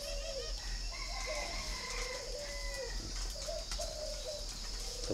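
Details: Spotted dove, a red-billed, yellow-legged captive bird kept in Ba Vì, northern Vietnam. Low mellow coo phrases of several short notes, with higher thin chirps of other small birds above and constant background hum.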